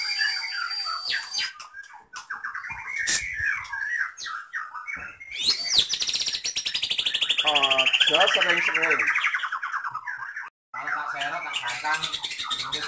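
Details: Captive white-rumped shama of the Medan type delivering a long mimicry-rich song borrowing lovebird, canary and cililin calls; chattering bursts, sharp upward sweeps and a sustained, rapid buzzy trill, with a brief silent gap near the end.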